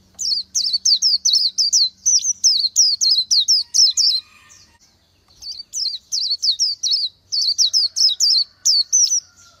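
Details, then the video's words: [4, 'Oriental white-eye delivering two long bursts of quick, high, slurred whistles separated by a one-second silence, each note sliding downward with a little flourish.'] "Chim hót hay Vành Khuyên họng vàng đông dương | นกแว่นตาขาวสีทอง| Oriental White-eye"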